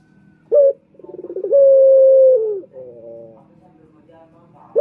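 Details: Lure call of a male turtle dove: a brief sharp note, then accelerating low pulses swelling into a long flat coo that sags at its end, followed by a quieter rolling phrase.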